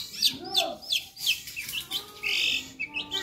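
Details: Chattering long-tailed shrike with lively fill-in phrases: descending slurred whistles repeated roughly every half second, then a buzzy rasping burst and thin higher notes, in a quiet background.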